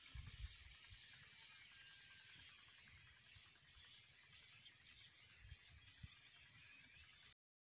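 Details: A migrating flock of common starlings, called Russian starlings, in Pakistan keeps up a steady, dense chatter of high squeaks and whistles over low rumbling wind.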